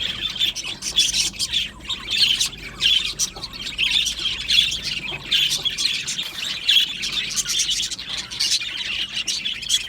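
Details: Caged Australian budgerigars in a colony aviary chirp and warble continuously, with sharp, high squeaks scattered through a steady, buzzy chorus.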